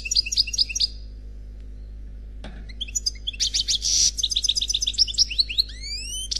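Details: A lone unpaired European goldfinch in Khalwi-style song. Repeated twittering notes, a pause, then dense rapid chatter and buzzy phrases, closing with rising drawn-out whistles. A faint hum runs through it.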